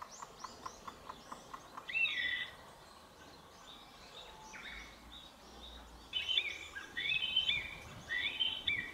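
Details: A Chinese bamboo partridge calls loudly to threaten an intruder, in a fast series of shrill, ringing phrases building toward the end, with softer twittering from other birds behind; recorded 14 April 2022 in Japan.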